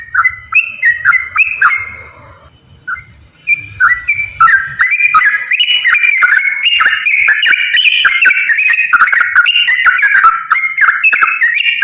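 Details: Straw-headed bulbul singing loud, rich whistled phrases of stepped notes that jump up and down in a fast, bubbling run, after a quieter opening with a brief pause, used as a lure to get lazy bulbuls singing.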